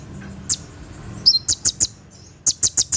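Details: Night-time 'tembakan' song of a konin, the olive-backed sunbird, used for training captive birds: a few isolated thin high notes, then two short sets of four rapid piercing chirps.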